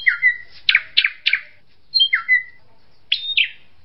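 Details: Drongo mixing a falling whistled note, a quick string of harsh rasping notes, high thin whistles and a closing pair of sharp slurred chips.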